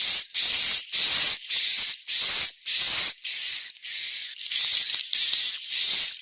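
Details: Loud, regular roosting call of swiftlets from Central Sulawesi: hissing, buzzy bursts with a bright steady high whistle, repeated almost twice a second with clean gaps.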